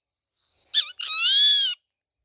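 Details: Rufous-winged buzzard: a thin rising whistle, then a short harsh burst, followed by one long, strained, harmonic scream lasting under a second, steady in pitch. Clean, quiet background.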